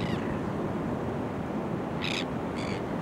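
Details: Kelp gulls on a rocky shore reef at Boat Harbour Aquatic Reserve, Kurnell, NSW, Australia, in early September: two short harsh harmonic calls near the end over steady loud surf and wave noise.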